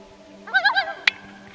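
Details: An adult male Common Loon, with a family of two downy chicks on a lake in Algonquin Park, Canada, at night in summer, gives a brief quavering tremolo of four quick wavering pulses over half a second, then a sharp click and a low hum.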